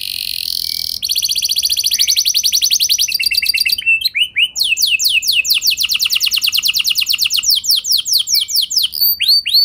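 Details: A canary's rolling song, used as a lure to provoke other canaries into singing, opens with a rapid high trill. After a brief break it shifts into a run of slurred, descending repeated notes, then rolls quickly again.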